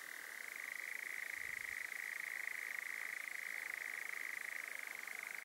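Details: Nightjar song in Dorset: a continuous, even churring trill at one steady pitch, unbroken throughout, over a faint hiss.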